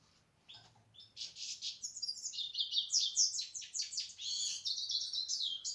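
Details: European goldfinch opening with a soft note, then launching into a sustained, rapid jangle of high chirps, buzzy trills and twittered phrases that carry on to the end.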